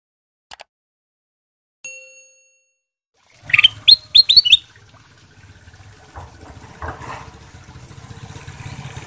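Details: Ruby-throated bulbul, kutilang emas sutra, singing vigorously as a lure to make other birds answer: a quick burst of about five bright, sharply rising whistled notes, then faint background noise.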